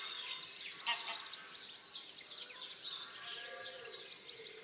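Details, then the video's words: Dawn birdsong from Tophill Low nature reserve, main hide picnic table, 30 March 2019. A high, slurred note repeats about every two-thirds of a second over a soft background wash of many other singing birds. "TopHill Low dawnchorus 30/03/2019"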